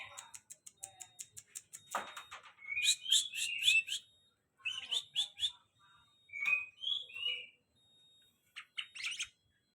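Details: Very tame greater green leafbird (cucak hijau) opening with a fast series of dry clicks, then a sharp burst, followed by groups of bright whistled and buzzy phrases separated by pauses.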